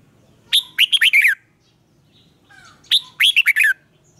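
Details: Red-whiskered bulbul, morning song training in the 'ché kích bổi' style: two matching phrases of five lively whistled notes ending in a downward slur, given about two and a half seconds apart against a quiet background.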